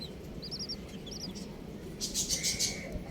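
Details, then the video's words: Baby chickens peeping in quick triplets of high, downward chirps early on, then a loud hissy rustle and a drawn-out mid-pitched tone; soft low rumble throughout. "Colourful Baby Chickens | Cutie Chicks Chirping Sounds"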